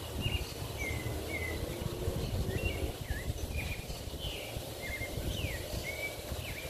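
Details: A tropical mockingbird sings from near a balcony in Parque Lefevre, Panama City: a steady run of short, clear whistled notes, some level, some rising or falling, about two each second, over heavy low rumbling noise.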